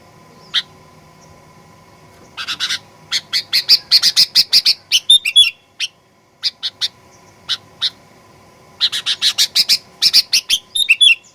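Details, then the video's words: Sooty-headed bulbul song to provoke birds into aggressive singing: long bouts of quick high chirps, each closing with a whistled flourish, broken by sparse single notes; a faint steady hum throughout. "Kicauan Kutilang Pikat Gacor Fighter"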